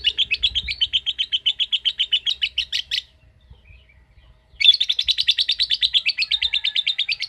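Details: A lovebird chatters in a long ngekek, the typing-like ngetik style. Three seconds of quick, scratchy repeated notes end in a pause of over a second. A second equally rapid trill resumes and runs on.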